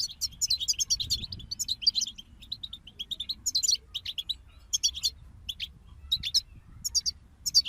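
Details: European goldfinch group in song, a lively stream of high twittering phrases and sharp chirps in short bursts with brief pauses between them.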